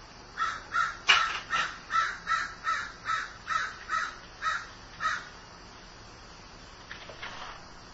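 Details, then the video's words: Crow described as grieving, giving a run of about ten harsh, evenly spaced caws roughly every half second, then falling quiet before two faint calls near the end. "Grieving Crow"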